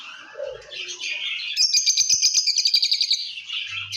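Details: Soft squeaky lovebird notes give way to a loud, rapid series of sharp pulsed chirps, about a dozen in quick succession, then fading back to quieter twittering.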